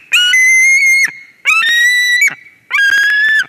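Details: Three long, piercing whistled cries from a White-tailed eagle at its Durbe nest in Latvia, 13 August 2023, when a strange ringed eagle arrives. Each cry starts sharply, holds a steady reedy tone and ends abruptly.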